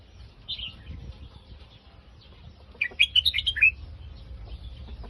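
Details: Red-whiskered bulbul song, Phetchaburi style: one short whistled note early, then a burst of rapid, chirping warbled notes around the third second, with low rumbling noise underneath.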